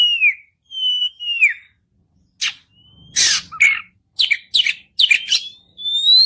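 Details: White-rumped shama song, played to stimulate other birds to sing: clear whistled notes, some gliding downward, alternating with harsh buzzy bursts and sharp chirps, separated by short pauses.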